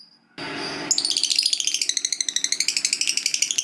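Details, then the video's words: Lovebird fighter ngekek panjang: after a short noisy burst, a dense rattling trill of rapid high chattering notes runs on without pause, shrill and buzzy. "Pasti Lovebird Macet Bunyi Langsung Ikut Ngekek Panjang"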